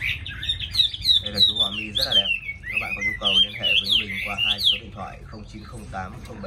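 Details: Tame caged Chinese hwamei, described as having a very good voice and singing readily, delivers a loud, rich, fast-varied song of slurred whistles and harsh chattering notes, rapidly repeated with little pause, inside a room.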